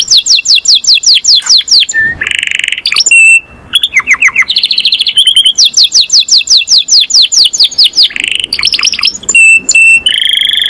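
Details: Master canary singing; rhythmic descending chirp series alternate with harsh buzzy bursts, clear whistles and rolling trills, loud and near-continuous throughout.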